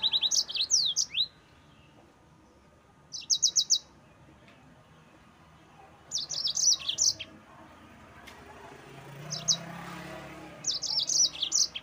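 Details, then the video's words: Yellow-fronted canary singing the rolling 'ngerol' style meant to stir up rivals: short bursts of high, quick chattering trills about every three seconds, separated by quiet gaps with a soft background hum. "Mozambik Gacor NGEROL Terbaik untuk Pancingan bikin Lawan Naik Emosi"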